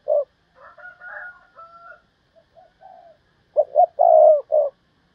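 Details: Decoy spotted dove calling thúc bổi style to lure wild doves: a short note, a span of softer higher wavering calls, then a loud phrase of quick double notes, a long coo and a final note.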